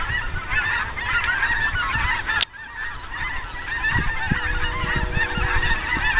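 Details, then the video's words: A flock of geese passing over at sunset, steady clamor of overlapping honking calls throughout, briefly cut by a sharp click, with low-frequency rumble underneath. "Geese Flying Over at Sunset"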